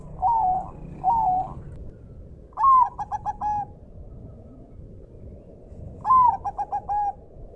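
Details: Bangkok-type zebra dove with a clear voice: two gentle falling coos, then two phrases of a loud note followed by quick stuttered beats, over a background of river water and forest sounds.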